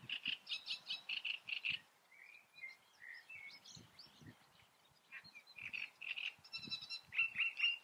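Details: Great reed warbler song recorded in the Eifel: a quick series of harsh churring notes, a softer varied middle section, then loud grating and whistled syllables again, with low thumping noise in the background.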